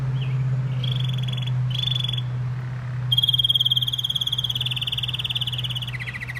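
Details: Singing canary giving short high trilled phrases, then a longer rapid rolling trill that steps slightly lower in pitch partway through, all over a steady low electrical hum.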